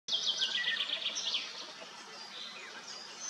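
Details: Common starlings bathing at Kápolnai kobolya, Madocsa, recorded with a Nikon P1000: dense, overlapping high chattering and squeaky whistles, with rapid clicking trains early on, over steady background hiss.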